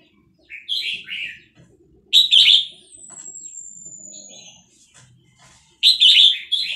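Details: Vietnamese red-whiskered bulbul, kept in a cage and stirred by played sounds of hatched chicks, delivers quick chirpy warbled bursts. A thin, high, slowly falling whistle runs between them.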